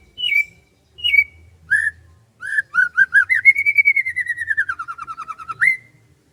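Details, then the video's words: Rice-field morning birdsong with two or three downslurred whistles, then a long quick trill of repeated notes sinking gradually, closed by a rising whistle. "SUASANA PAGI DI SAWAH SAMBIL DENGERIN KICAUAN BURUNG"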